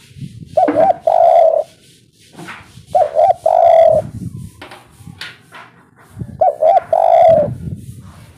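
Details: Local spotted dove calling in the 'kuk 3' style, a lure recording meant to draw replies: three cooing phrases, each two or three quick notes then a long drawn coo, separated by pauses of about two seconds, with faint background rustling.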